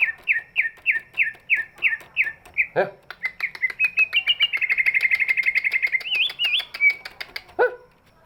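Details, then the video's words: Big-bodied greater green leafbird singing, a voice used to coax reluctant birds into song; a run of repeated clear chirps, then a fast, rattling series of whistled notes rising and falling near the top, broken by sharp clicks. "cucak ijo body big, suaranya bisa buat pancingan burung yang malas bunyi"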